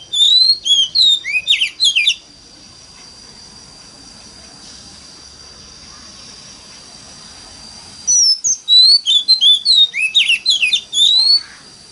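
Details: Oriental magpie-robin singing in a wild 'mountain forest' voice, a lure song meant to prompt other magpie-robins to sing: two bursts of quick, varied, high whistled notes and slurs about two seconds each, separated by a long quiet gap, over a steady high whine.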